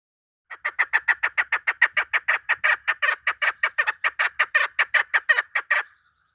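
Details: Female chukar partridge call used to lure birds for hunting: a rapid run of about two dozen harsh clucking notes, evenly paced at roughly four per second, steady in loudness, on a quiet background.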